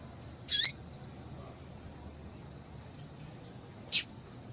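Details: Female Yellow-bellied seedeater call used to stimulate males: one loud, sharp, high chirp, followed after three seconds by a fainter, shorter note, with low hiss throughout.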